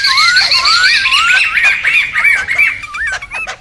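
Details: Wild laughingthrushes, a noisy lure and tutor recording: rolling, laugh-like whistled loops repeated quickly, layered over a higher hiss of chatter, fading toward the end.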